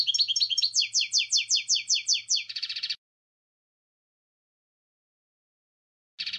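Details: Goldfinch song for goldfinches: a run of about ten sharply downslurred, evenly spaced notes, then a dry buzzy rasp, a long silence, and another short rasp.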